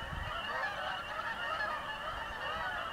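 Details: Overflying Canada geese above a house, a whole flock calling together in an unbroken wash of reedy, nasal honks with slight rises and falls in pitch.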